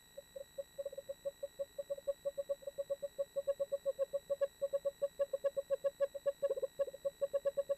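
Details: One of a pair of Eastern screech owls preparing for the spring 2013 nesting season gives a steady, even run of soft, low hooting notes, about six a second on one pitch, without a break.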